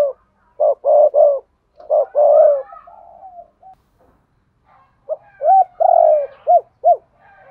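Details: Spotted dove cooing in the double-voice style called 'hai hau', used as a decoy to lure other doves: two full phrases of soft, low hoots, each with a rolling, throbbing note and paired arched coos, separated by a pause.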